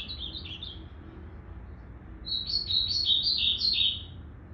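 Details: Short opening trill, then after a pause a louder, tumbling phrase of rapid high whistled notes from a blue-black grosbeak whose tail was still evening out, dated 8 September 2020.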